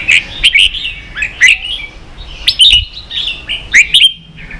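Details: A caged red-whiskered bulbul in a singing contest gives short, bright whistled phrases, each a quick slurred flourish, spaced by brief pauses, with a soft background hum.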